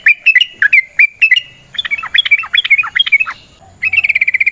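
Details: Yellow-vented bulbul fighting song used as a lure for other singers: loud whistled notes, then a softer burbling phrase of dipping notes, ending in a fast trill-like run of high repeated notes.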